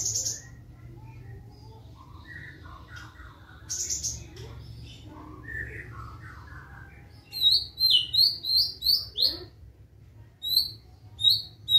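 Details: Black-tailed white-rumped shama, a Kelling murai batu, in fast fighting song: soft scattered notes, then a rapid series of sharp high whistled chips repeated about twice a second, with a low hum beneath.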